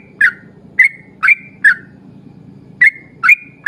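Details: A lively yellow-vented bulbul in long 'ropel' song for luring other bulbuls to sing, giving sharp bubbly chirps in quick bursts with a brief pause midway, while a faint low hum runs underneath.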